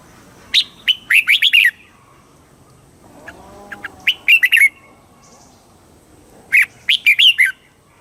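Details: Red-whiskered bulbul song from Thailand, southern master style, played to rouse other bulbuls and teach young birds; three separate phrases of quick, bright, up-and-down notes a few seconds apart, with faint low chatter in one gap.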